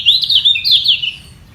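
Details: Yellow white-eye in a vocal fight for its position: a short, dense run of high slurred twittering notes lasting about one second, then fading.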